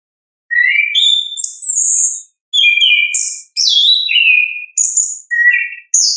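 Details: Orange-headed thrush's natural 'ngeplong' song, played to prompt lazy or beginner thrushes: varied whistled phrases about once a second, mixing sweet sliding notes, high squeaks and short buzzy bursts, with no other sounds.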